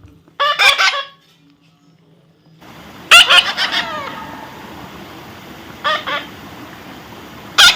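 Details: A baby parrot being tamed utters short bursts of grating, screechy calls. A steady hiss of background noise begins partway through, and the later squawks are spaced a couple of seconds apart.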